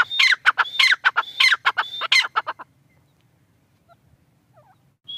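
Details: Partridge (tetar) giving a quick burst of raspy, ringing notes with whistled overtones for about two and a half seconds, then near silence with a few faint soft chirps and one brief whistle at the end.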